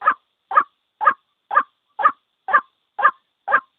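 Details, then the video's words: A white-breasted waterhen gives a single call of eight harsh, croaking notes, evenly spaced at two per second, with no other sounds; the call is used to lure birds to traps. "Suara Panggil ruak ruak tunggal | white breasted waterhans | sound call bird"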